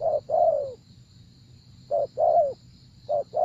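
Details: Spotted dove cooing in a decoy-trapping setting: a short low note followed by a longer, mellow coo that slides downward, phrases repeated about every one and a half seconds, a faint steady high hiss behind.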